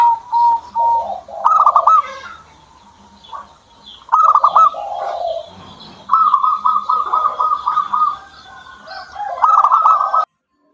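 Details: Captive zebra dove singing in bursts of rapid, clipped, stuttering coo notes, separated by pauses of about two seconds. Softer lower tones and faint background chirps are also present.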